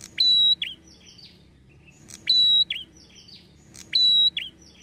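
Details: Red-headed prinia (prenjak kepala merah) lure call, used to provoke prinias into answering. Three repeats about two seconds apart. Each starts with a sharp steady high whistle, then a drooping note and a short buzzy flourish, over faint low hum.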